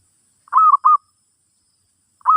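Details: Zebra dove singing for a teaching session with a new bird: a quick group of three soft, rolling coos, then silence, then one more coo beginning as the recording ends. No other sounds.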